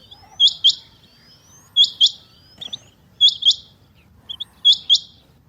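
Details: Female rain quail (chinga batair) calling: sharp, high, metallic notes given in quick doubled pairs, each pair repeated roughly every one and a half seconds, with thin rising whistles leading into some pairs over a quiet low rumble.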